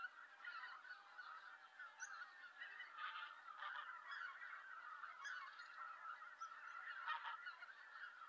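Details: A flock of Greater White-fronted Geese heading to roost on a November evening in Japan, alongside roosting harriers: steady massed honks and yelping calls overlap without pause, with a few sharper notes rising above.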